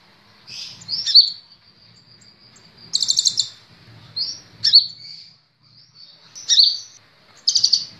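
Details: Sunbird (kolibri ninja) song from a master recording used to train cage birds: thin high chirps and drawn-out notes broken by short, fast buzzy trills, in bursts a second or two apart.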